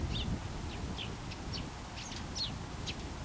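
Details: Eurasian tree sparrow, a small bird living near houses, giving short chirps in a scattered series of about eight notes over low background rumble.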